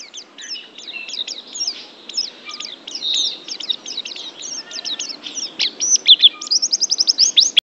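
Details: White-eye singing a continuous, rapid, high-pitched twitter of short chirps and slurred notes that grows louder toward the end, finishing with a quick even run of about a dozen sharp repeated notes; no other sounds stand out.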